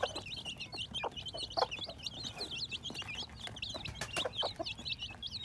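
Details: Chicks hatching in spring 2021 fill the air with continuous high peeping from many birds, with brief lower clucks scattered between.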